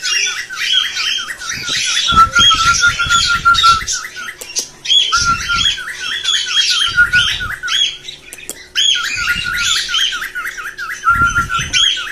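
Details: Indoor cockatiel mating call meant to stimulate breeding and singing. Strings of quick dipping chirps run beneath loud grating squawks in phrases, with repeated low knocking thuds between them.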